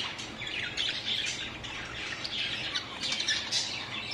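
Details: A budgerigar hanging on a ring chatters in a steady stream of scratchy chirps and squawks.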